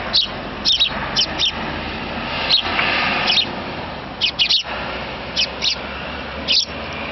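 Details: A fledgling sparrow begs its parents for a meal: clusters of shrill chirps, often doubled or tripled, spaced irregularly over a dull hum.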